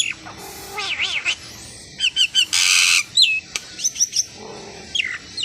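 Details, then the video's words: Asian pied starling song: a wavering whistled run that rises and falls, crisp high chips, then a loud harsh rasping burst followed by quick upslurred whistles and scattered squeaks. "Suara burung jalak suren"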